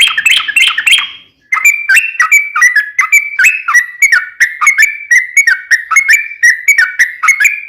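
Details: Sooty-headed bulbul in long ropel panjang song used as a lure for a silent bird: an opening burst of mixed chatter, then steady rapid whistled notes rising and falling without pause.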